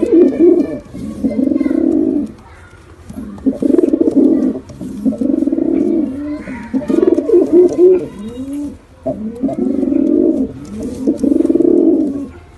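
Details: Pigeon pair, male and female, giving bouts of rapid low rolling coos, each bout about two seconds long with short pauses between, over a faint low hum.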